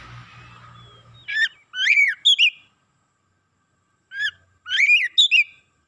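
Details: Oriental magpie-robin in excited song, giving clusters of sharp, slurred whistles in two bursts separated by a silent pause of about two seconds.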